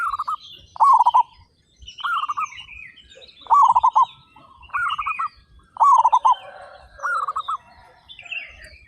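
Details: Thirty-five local zebra doves with big voices sing in a steady run of trilled, stuttering coos, roughly one phrase a second from overlapping birds. Higher chirps from other small birds sound above.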